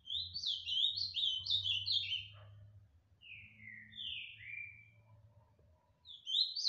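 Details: Ultramarine grosbeak (azulão) in Tijucas do Sul, Paraná, singing two rich, rapid phrases of slurred descending whistles, each about two seconds long, over a low steady hum.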